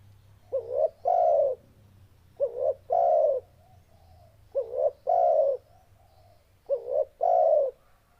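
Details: Repeated spotted dove song, four low phrases about every two seconds, each a short tremulous upswept note and then a longer full coo, in otherwise quiet surroundings.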